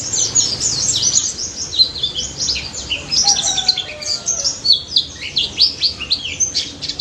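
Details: White-eye (pleci daput) giving continuous high chattering song in the 'ngalas nembak' style, a fast stream of thin, sweeping chirps with little pause.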